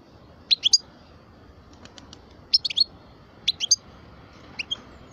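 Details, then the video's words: European goldfinch of the parva form, twelve years old, making brief clusters of two or three sharp, high chirps about once a second, with faint clicks between them. "Chant parva le meilleur"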